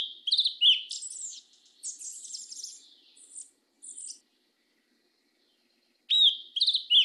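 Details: Southern 'mateiro' style song of a black yellow-legged thrush: a bright opening whistle, then dense twittering, buzzy high passages, a few seconds of silence, and renewed clear slurred whistles.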